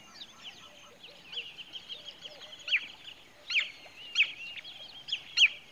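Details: Pied Kingfisher in Kruger Park, South Africa: sharp, high chattering notes in irregular bursts, with louder squeaky peaks near the end and a steady background twitter.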